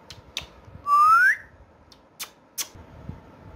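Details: Playful talking parrot kept as a pet indoors, speaking Urdu/Hindi: a single long whistle gliding upward, framed by a few isolated sharp clicks.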